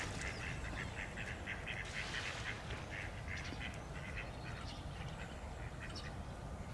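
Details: Tufted duck, known as Kuifeend or the diving duck, on open water in South Holland, Netherlands, in winter or spring. A steady run of short, rough, clipped calls repeats quickly over a low background rumble.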